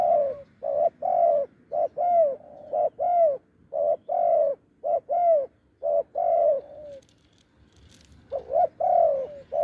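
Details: Deep-voiced wild spotted dove lured to a decoy, cooing in steady short-long pairs roughly once a second, a pause, then the phrase resuming.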